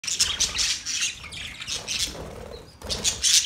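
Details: Budgies, Australian parrots, chirping: bursts of bright, scratchy high warbles and chatter that come and go, with a short lull near the end before the chatter picks up again.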